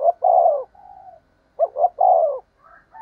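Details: Spotted dove lure call used to draw wild doves in fast: low hollow coos, a long drawn coo followed by a softer one, then a quick double coo and another long coo, in a quiet setting.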